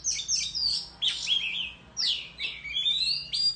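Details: {'text': 'Countryside Oriental magpie-robin singing in contest, tail fanned in display; bright sliding whistles mixed with buzzy notes, delivered in short bursts separated by brief pauses.'}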